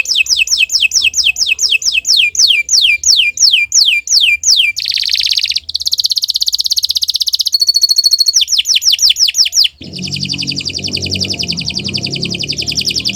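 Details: Canary song intended for training other birds: a run of repeated rising-falling whistled notes, a buzzy trill, a high thin tone, more sweeping notes, then a rapid dense trill with low background noise.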